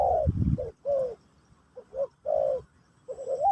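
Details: Spotted dove in Pesom or Kacuk style, played to teach a new bird: a falling coo over a brief low thump, then separate short coos and a long even note, ending on a rising coo.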